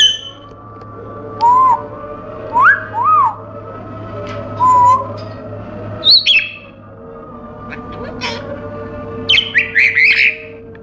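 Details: Pet African grey parrot in a cage repeatedly whistles low, bending, rising and falling notes every second or so, then shifts to higher chirps and a cluster of harsh squawky bursts at the end; steady hum behind.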